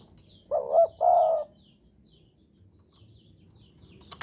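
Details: Javan spotted dove in breeding mood, a single low coo phrase: a paired hollow note then a longer, slightly wavering coo, followed by quiet background and a few faint high chirps and clicks.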